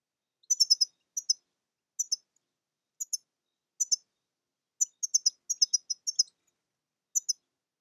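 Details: European goldfinch (Carduelis carduelis) giving bright, high, twittering chirps in quick groups of two to four notes, repeated about every second with brief pauses and no other sounds.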